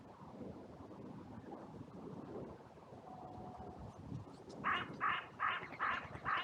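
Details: Crows on a sunny day in a cemetery join an outcry after two of them fought. Wind rumble comes first, then five loud, harsh caws repeated steadily about every third of a second.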